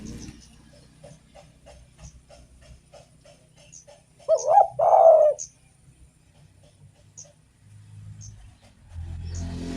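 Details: Actively singing spotted dove, used to stimulate other doves: one clear phrase mid-recording, a short double coo then a drawn husky note. Faint regular ticking and low rumbling noise fill the rest.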